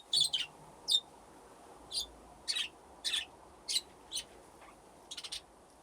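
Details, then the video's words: Budgerigars in an aviary with nesting boxes, giving about ten short sharp high chirps spaced by quiet gaps, ending in a quick triple chirp. "Budgies playing in the aviary"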